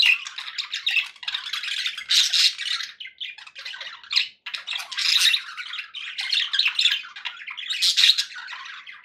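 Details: Pet budgerigars chirping happily indoors: dense, scratchy warbling chatter with squawky bursts, continuous and busy, several birds overlapping with short pauses.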